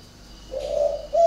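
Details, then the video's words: Spotted dove, one of two captive birds with an unusual voice in northern Vietnam, gives a drawn-out soft hooting note followed by a short clipped coo. "cu gáy độc lạ hoắc A E P H"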